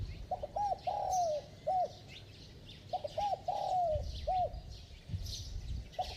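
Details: Spotted dove with a ringing, bell-like voice giving rapid coos to stimulate decoy doves. Two full phrases of short coos around a long descending coo, and another phrase begins at the end. Other birds twitter faintly.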